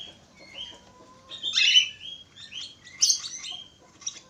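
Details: Budgerigar singing: chattering, twittering warble of quick high whistles and scratchy notes, with a thin sustained whistle running under the first half.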